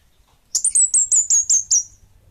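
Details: Kemade Bunga Api bird singing a rapid run of seven high, slightly descending whistled chirps lasting about a second and a half.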